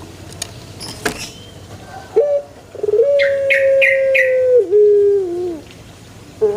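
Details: Scattered clicks lead to a male Barbary dove's drawn-out coo, held steady and then stepping down lower. A small bird chirps four quick times over the coo.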